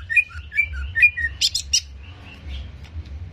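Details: Greater green leafbird (cucak ijo) song used as a quick provoking recording to raise the bird's aggression: high whistled slurred notes and short bright chips, then dense buzzy bursts, over a steady low hum.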